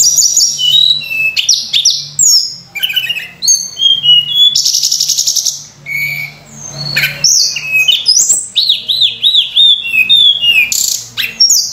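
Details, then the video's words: Sunda robin singing richly with many fill-in phrases, used to lure and train other birds: dense run of whistles, buzzy bursts and a rapid wavering, looping series of high notes near the end, over a low hum. "tledekan gunung gacor full isian mewah‼️untuk pancingan"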